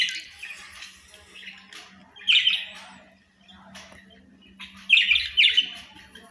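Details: Pet budgerigars (Australian parrots) giving soft twittering, then loud squawky double chirps, with a short quiet pause in the middle and a faint steady hum.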